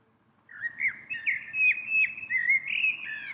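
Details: A small, plain-looking bird visiting a tree several times a day in spring sings a continuous, varied run of bright chirps and whistled warbles, high-pitched and lively, over a faint low background rumble.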